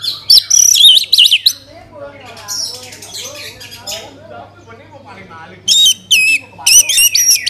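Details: Orange-headed thrush singing as a lure for other birds: loud warbled whistles wobbling up and down at the start, quieter mixed chatter in the middle, then strong squeaky rising and falling notes repeated near the end.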